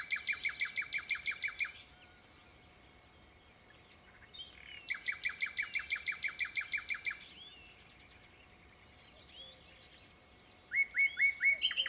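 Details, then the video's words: Common nightingale song in rapid, rhythmic bursts of repeated notes, a fast chattering series lasting about two seconds each, separated by pauses with softer calls. "Rufous Nightingale singing (Nachtegaal 2)"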